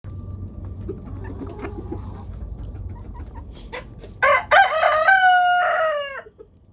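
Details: Homestead rooster crowing as the flock enjoys a 20-degree warmup to 37 degrees: faint clucks and scratching at first, then a loud, harmonic-rich cock-a-doodle-doo in two bursts, the final note held and falling away.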